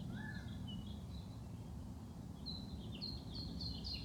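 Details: Wild birds chirping in spring among blooming flowers: short high thin chirps and brief whistled notes come in scattered bursts, several callers overlapping, over a steady low rumble of background noise.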